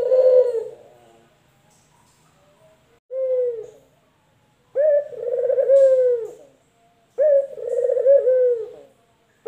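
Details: Male doves, a local male and a white male, give low, hollow coos in four phrases over about nine seconds, the later ones longer, rolling and slightly rising and falling.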